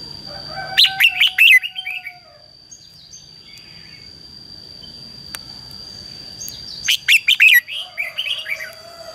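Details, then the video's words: Red-whiskered bulbul singing a fighting song, used to call wild birds and excite a decoy bird: two bursts of bright, warbling, chattering notes about six seconds apart, with a steady high whine and rural background noise between. "CHÀO MÀO HÓT GỌI BỔI CHÉ CĂNG ĐÉT QUÁ HAY - KÍCH CHIM NHANH CĂNG LỬA"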